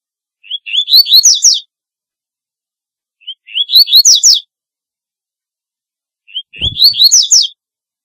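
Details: Double-collared seedeater song for calling birds: three identical phrases about three seconds apart, each opening with soft upslurred whistles and ending in a quick series of loud, high descending notes; a faint low thump near the end.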